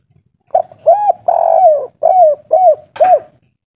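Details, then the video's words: Spotted dove, local 'kuk 3' singer with an old voice: a brief opening hoot, an arched coo, a long sliding note, then three crisp rounded coos at a steady pace of about two per second. "Derkuku kuk 3 lokal gacor ngamuk suara tua"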